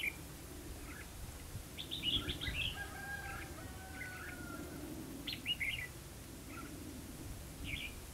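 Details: Red-whiskered bulbul, a lure bird used for trapping at Hòa Mạc, Hà Nam, Vietnam, in competitive song: short warbled phrases of bright chirpy notes with a few drawn-out whistles, separated by pauses, over a faint low rumble.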